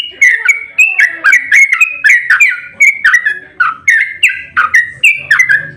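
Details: Sooty-headed bulbul in aggressive song used to provoke singing in other birds: loud rich whistled phrases, each dipping and rising, repeated steadily in a lively chattering sequence.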